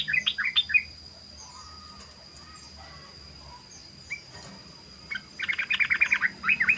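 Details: Sooty-headed bulbul lure song: a few bubbly notes, a long quiet stretch with faint distant calls, then a dense fast chattering run of notes, somewhat faint over background hiss and a steady whine.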